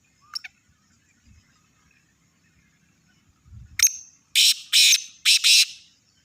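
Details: Black francolin (kala teetar, Sindhi strain): a faint early note and soft low thumps, then a thin whistle leading into three loud harsh rasping bursts, the last one doubled.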